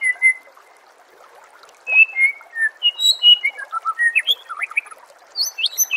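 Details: White-rumped shama song for training birds for contests: a clear whistle, a pause, then a long lively medley of fluted whistles, slurs and rapid up-sweeping notes, accompanied by steady trickling water.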